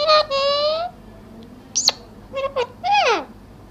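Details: A talking parrot indoors, voicing speech-like phrases with tonal harmonic syllables, a sharp high squeak near the middle, and a falling whistled slur at the end, with pauses of quiet room noise between.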